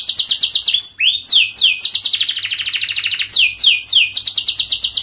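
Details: Long, rapid canary song meant to teach young canaries to sing, made of dense high trills broken by sharp downslurred whistles and quick rolling phrases with barely a pause.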